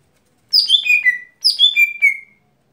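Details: Daily song of a lesser green leafbird, called gotri: two tumbling phrases of loud, clear whistled notes, each falling in pitch and ending in a drawn-out lower whistle, against near silence.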